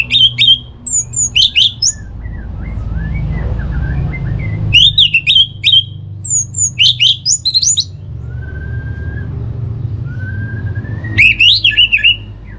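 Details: Orange-headed thrush song from Singaraja, North Bali, played to stir kept thrushes into full song: three bursts of fast, varied whistles and chattering notes separated by quiet gaps, over a steady low hum, with a thin drawn-out whistle between.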